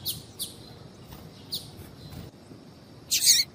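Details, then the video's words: Female seedeater (papa-capim) calling, used to stimulate males to sing: a few short, high chips at uneven intervals, then a louder, scratchy burst at the end, over a faint hiss. "fêmea de papa capim chamando"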